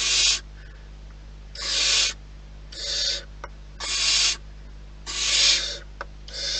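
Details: At a wild barn owl nest, rasping hissed screeches repeat roughly every second, each short burst noisy and broadband, with occasional soft clicks between and a steady low hum.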